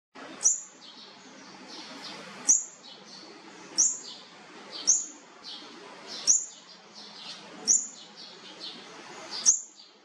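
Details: Olive-backed sunbird chicks being fed, giving sharp, very high chips, seven in ten seconds at an uneven pace, with soft background hiss.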